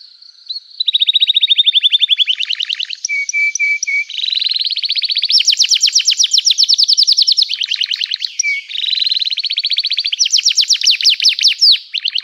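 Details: Canary in energetic 'gacor' song meant to prompt other canaries to answer: long rapid trills switching between buzzy and clear phrases, short steady whistled notes near the middle, continuous and loud throughout.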